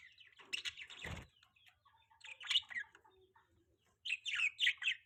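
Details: Budgie chirps recorded in the morning during mating season: clusters of bright squeaky notes and warbled phrases separated by quiet gaps, with a short thud near the start.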